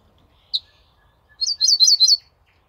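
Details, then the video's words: Ortolan bunting singing on 28 May 2024: one clear high note, then after a pause a short run of about five similar ringing notes repeated quickly at a steady pitch, against near silence. "Свежая садовая овсянка. Песня."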